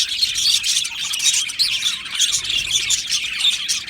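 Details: Budgerigars in an aviary colony singing and chirping: dense, continuous warbling chatter of many birds, bright twittering notes overlapping without pause.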